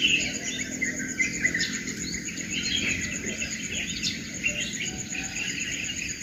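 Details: Dawn chorus of mixed birds calling in the morning, with many overlapping high chirps, trills and whistles, backed by a continuous shrill insect hum.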